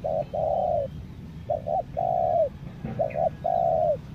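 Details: Spotted dove used as a decoy bird in Lombok, giving low steady coos: a short note and long falling coo, then twice a pair of clipped notes followed by a drawn-out descending coo.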